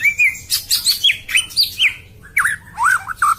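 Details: A white-rumped shama sings harshly and fast, a tight sequence of short, looping whistled notes, some clear and some rasping, broken by a short gap before more curling whistles.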